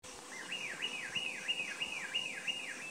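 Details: A Himalayan cutia in northern Thailand, 2018, gives a loud, wavering whistle that swoops up and down about three times a second over a steady background hiss.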